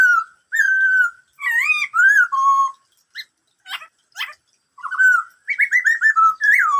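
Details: Varied whistled song of a Black-throated laughingthrush in the "bắt cô trói cột" style. Flat and wavering mellow whistles, several sharp clicks in the middle, then a run of quick falling notes ending in a looping whistle.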